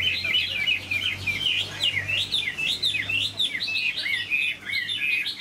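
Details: Caged Chinese hwamei, a large, long-bodied bird kept for its voice, singing a continuous run of loud, varied whistled phrases that rise and fall in quick slurred notes, with a faint low hum underneath.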